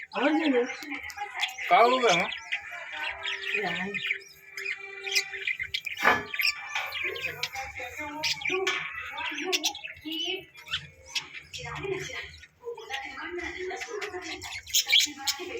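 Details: Budgerigars around a chick hatching chatter in a busy stream of high chirps, squawks and warbles, with music faintly behind.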